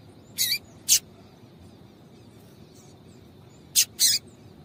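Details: Female double-collared seedeater calling to excite a male, a captive bird setting. Four short, sharp high chirps come in two pairs: two near the start about half a second apart, then two more near the end, over faint background hiss.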